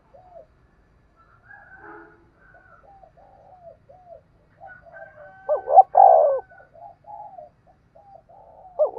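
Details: Spotted dove used as a lure bird for trapping, cooing in soft, low hooting phrases, then a louder burst of rounded coos midway and another rising coo at the end. No other sounds.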